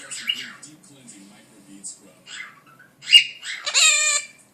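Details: A pet male monk (quaker) parakeet talking to its owner chatters in scratchy, high-pitched imitated words, ending in a harsh rasping squawk.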